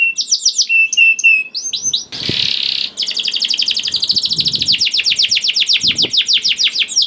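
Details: Lure song of a juvenile canary for prompting quiet birds: scattered chips and short whistles, a harsh buzzy burst, then a long rapid trill of repeated bright notes.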